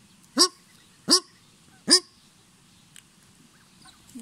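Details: At Paradise Valley Springs, New Zealand, a Paradise Shelduck, apparently reacting to the camera, gives three loud, squeaky-toy-like honks, each rising then dropping, under a second apart; a faint rustle follows.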